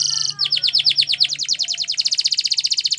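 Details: Training song from a Spanish Timbrado canary: a short high trill, then a long series of quick swooping down-slurred notes merging into a bright, rapid rolling trill.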